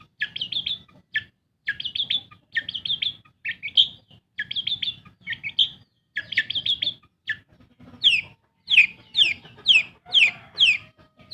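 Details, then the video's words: Kept long-tailed shrike giving quick clusters of whistled chips, then a string of sharp downslurred whistles repeated about twice a second. "SUARA PENTET GACOR. BUAT PANCINGAN burung MANDEG BUNYi"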